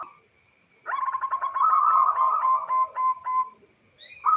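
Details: Female zebra dove of local stock calling to a male, used to coax males into song: a long, dense run of rapid pulsed cooing that slows into a few spaced, clipped notes at the end.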